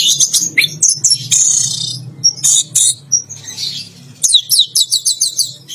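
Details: A caged orange-headed thrush sings 'teler gacor' during its bath: a rapid run of buzzy, dense high phrases, then a fast series of repeated short chipping notes, about six per second, near the end.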